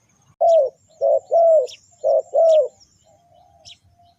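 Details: Spotted dove calling as a trapping lure: loud, low, hollow coos in a short-long rhythm, five notes in about two and a half seconds, with faint high bird twitters behind.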